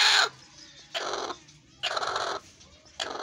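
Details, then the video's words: Angry golden hen giving harsh, raspy squawks, each about half a second long, repeated roughly every second with quiet gaps between. "ANGRY HEN || GOLDEN HEN"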